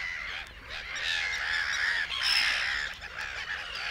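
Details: Black-headed Gulls calling in the reed beds of Matsalu. Rasping, slightly downslurred squawks tumble over one another at an uneven fast rate, building to a louder burst midway through.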